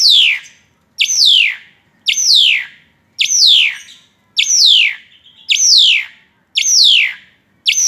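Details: Asian pied starling in full song while tripping, giving a bright descending slurred note again and again roughly every second, eight strong strokes with brief gaps and no other sounds.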